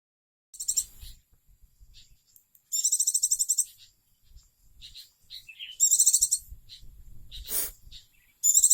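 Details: Oriental white-eye, a beloved caged pet bird that has since died, singing in short bursts of very high, rapid, sparkling trilled notes roughly every three seconds, with faint low handling rumble between phrases.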